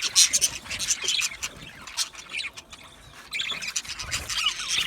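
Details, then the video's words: Australian budgies chirping together: dense, scratchy high chatter with bursts of sharper squeaks, loudest in the first half-second and again near the end. "Budgie parrot chirping sounds"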